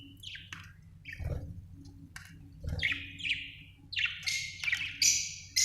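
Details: Chirping budgerigar: short downward-sliding chirps that grow into louder, buzzy warbles toward the end, with a couple of soft knocks and a low hum.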